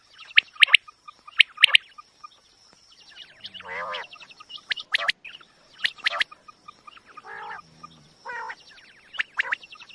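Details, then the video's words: Quail calling in short three-note bursts, sharp and high, repeated roughly once a second, with other chirping birds and a steady high whine behind; recording said to draw quail well for hunting. "QUAIL SOUND very original sound"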